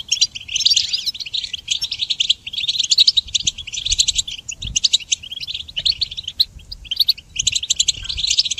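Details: Extended goldfinch song for songbird training, bursts of rapid tinkling twitter separated by brief pauses, each burst a busy jumble of bright chirps and nasal buzzes.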